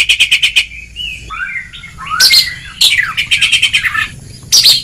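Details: Kacer, the Oriental magpie-robin, sings ngeplong-style on a training recording: a quick rattling series of repeated notes, low sliding whistles, then buzzy bursts and another fast repeated rattle.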